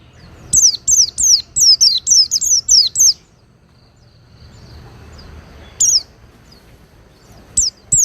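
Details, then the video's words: Oriental white-eye song used as tutoring material for cage birds: a fast run of about ten high, thin, downslurred whistled notes over three seconds, a pause, then single notes at six and near eight seconds. "Masteran Pleci Durasi Panjang – Suara Halus dan Bertenaga!"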